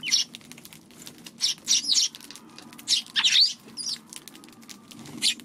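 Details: Eurasian tree sparrows at a feeding spot on a March 16 afternoon, wary of a Godzilla figure placed nearby; short bright chirps come in bursts, some overlapping, over faint low rustling.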